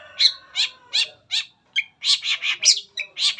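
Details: Long-tailed Shrike lure song meant to get other shrikes singing. Harsh, grating high notes repeat about three times per second, speeding into a denser series in the second half.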